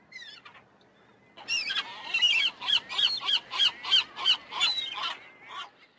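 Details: A gull gives a rhythmic run of loud, ringing notes, about three per second, after a few quieter opening cries.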